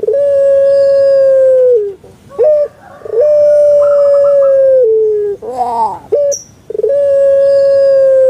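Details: Caged Barbary dove of the puter pelung type kept in Java, Indonesia: a short note and then a long, steady, drawn-out tonal coo that drops at the end, with a pause and a second long coo. A brief high chirp is heard in between.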